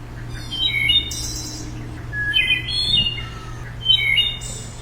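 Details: Wood Thrush song: three flute-like phrases of clear, bell-like whistled notes, each ending in a high, shimmering, metallic trill, spaced about one to two seconds apart over a low steady hum.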